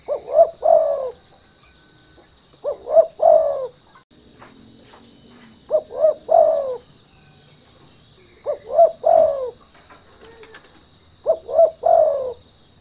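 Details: Spotted dove (derkuku) lure call for provoking other doves into song: five low three-part coos, two clipped notes and a drawn-out third, recurring every two to three seconds against a continuous high-pitched tone.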